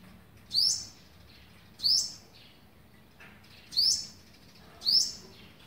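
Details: Four clear, high, rising chirps spaced roughly one to two seconds apart, given by an olive-backed sunbird on day eleven of feeding its young, 27 November 2019, over soft background hiss.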